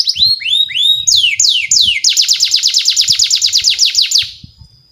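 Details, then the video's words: Canary song used as a masteran lure to train young canaries: high whistled downward sweeps, then a long fast trill of descending notes about six per second, fading at the end, with low thumps underneath. "SUARA BURUNG KENARI PANCINGAN MASTERAN PAUD BIAR GACOR PANJANG"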